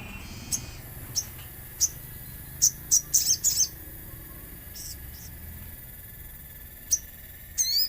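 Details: Common iora lure song with nature sounds: scattered sharp, very high chirps, some single and some in quick clusters, spread unevenly over a steady high background tone and low rumble.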